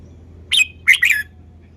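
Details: Caged Red-whiskered bulbul singing a short, lively phrase of three loud chirps, the last two run together and falling slightly in pitch.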